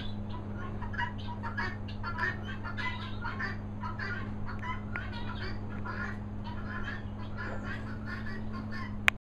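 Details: A flock of helmeted guineafowl in Worcestershire countryside keeps up harsh, rapid, overlapping chattering calls, shouting for their supper.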